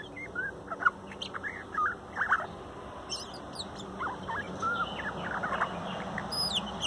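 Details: Morning song of a young male bird from a 2019 nest, recorded shortly before he left home: soft, complex twittering of quick whistled slurs, chirps and high squeaky notes in a busy, continuous run.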